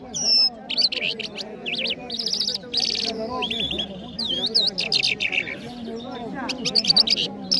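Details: Mashhadi jal bird from Iran, sung in Kabul, delivering a varied string of high whistles, trills and looping slurred notes, some buzzy, with short pauses between phrases and a low hum of voices behind.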